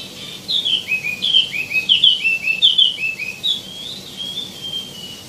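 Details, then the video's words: Wambi mini, known as tieumi, gives a lively, phrase-rich song: a string of about a dozen clear, slurred whistles sliding downward in a bouncy rhythm, ending in a softer drawn-out note, with a low hum behind. "KICAU BURUNG WAMBI MINI ( TIEUMI ) GACOR | ISIAN MELIMPAH"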